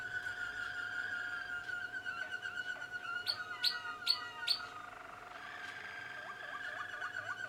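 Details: Young Malinois Waterslager canaries from 2016: a sustained rolling trill, then four sharp high notes in quick succession, followed by soft looping, bubbling water-like notes at mid pitch over a constant low hum.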